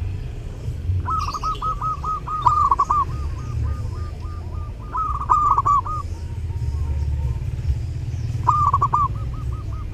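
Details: Zebra dove in full song at Lebaran: three bursts of rapid rolling coos, each trailing into spaced single notes, over a steady low rumble.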